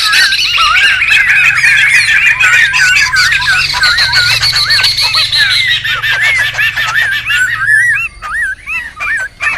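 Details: A noisy group of wild laughingthrushes, meant for luring and tutoring: continuous harsh chatter under looping whistled notes for most of the time, thinning to separate wavy whistles near the end.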